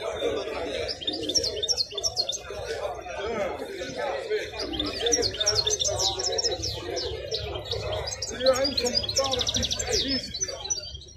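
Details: Wild European goldfinch at the Al-Qurai'a bird market, singing a fast run of high, jingling twitters and trills that continues almost throughout, with people talking loudly underneath.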